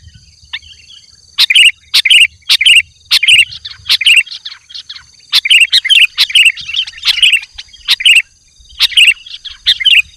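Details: Sooty-headed bulbul singing to lure wild bulbuls, short warbled phrases of clear whistled notes with sharp chips, delivered in bursts separated by brief pauses, with a faint low hum beneath.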